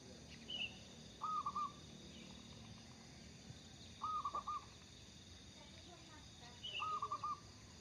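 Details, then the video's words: Local zebra dove singing energetically, suited for use as a lure: three short phrases of quick, soft cooing notes spaced about three seconds apart, with faint higher chirps from another bird and a steady background hiss. "burung perkutut lokal gacor cocok buat pancingan"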